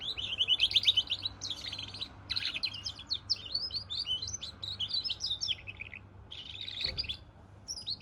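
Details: Lively, continuous twittering from a goldfinch-canary cross: dense high trills, buzzy notes and quick chirps tumbling together with only brief breaks.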